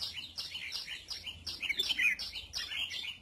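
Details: Red-whiskered bulbul while sunbathing, with quick high chirps in a fast, even series and a brighter twittering phrase in the middle, over a faint low hum.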